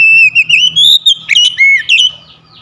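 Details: Oriental magpie-robin kept at home, recovering its voice, sings a long rising whistle that breaks into varied slurred notes and dips, with a faint low hum underneath.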